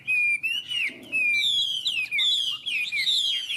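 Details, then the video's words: Chinese hwamei, two birds dueling in song: sustained clear whistles that rise and fall, overlapping with higher sweeping notes from the rival bird. "Họa mi hót đấu"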